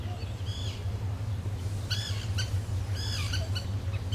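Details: Common tern recorded in Moscow giving harsh, rasping calls with a downward slur, several scattered bursts over four seconds, some doubled in quick succession, against a constant low rumbling background noise.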